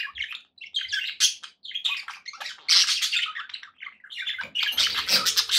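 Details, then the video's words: Budgerigars kept as pets chattering in choppy bursts of squeaky chirps and scratchy warbles, growing louder and denser toward the end with some low rustling. "9 hours of budgie sounds to keep your pets in happy bird company"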